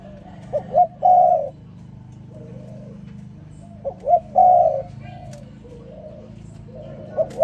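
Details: Spotted dove in the morning repeating its three-part coo about every three seconds: two quick notes then a long mellow coo, with fainter cooing from another dove in between.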